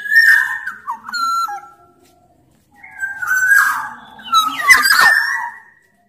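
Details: Energetic Sumbawa black-naped oriole, a big-bodied form, delivering rich whistled phrases that dip and slide, one sharp burst then a longer run of ringing fluty notes after a brief silence.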